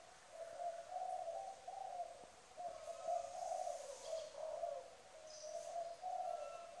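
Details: Trained decoy spotted dove from Trà Vinh, Vietnam, cooing strongly: low, hollow coo notes run almost continuously in repeated swells, quieter and set against a faint background hiss.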